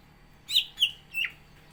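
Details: A caged greater green leafbird (cucak ijo), shown in full song ahead of a contest, gives three clear whistled notes, the last dropping in pitch.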